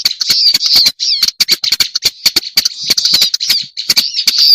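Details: Black-browed reed warbler lure recording: a harsh, scratchy, continuous chattering warble, high-pitched and dense, broken by sharp dry clicks throughout and a brief pause near the first second.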